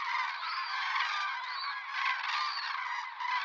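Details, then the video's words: Common crane flock wintering in Spain, arriving October–November from central and northern Europe to feed in fields and dehesas: overlapping trumpeting and rolling bugles, a dense continuous chorus of many birds calling together. "La migración de la GRULLA COMÚN"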